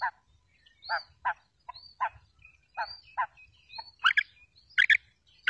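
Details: Female quail, used as a lure for quail trapping, giving short, harsh, stacked two-note chirps about once a second. Thin rising whistles drift between them, and the calls grow louder and sharper near the end.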